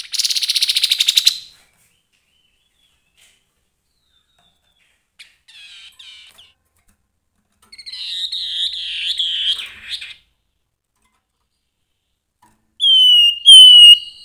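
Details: Grey-headed babbler in energetic song: a dense harsh burst, soft buzzy notes, a stretch of wavering rough chatter, then two bright whistles at the close, with short silences between the parts.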